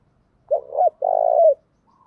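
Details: Female spotted dove decoy cooing, used to stir wild males into responding: two low coos, a short wavering note, then a longer burred, purring coo ending in a downward slur. Quiet background.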